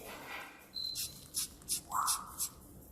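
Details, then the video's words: Pet cockatoo imitating the sound of Windex spraying on request. A brief whistle is followed by five short, hissy, spray-like bursts about a third of a second apart, with a person's speech at the start. "Funny Cockatoo Makes The sound Of Windex Spraying"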